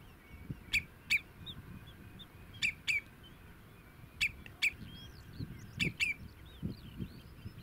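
A common redshank gives clear, piping double notes, repeated about every one and a half seconds, over a low rumble of wind, with faint chirps from other birds.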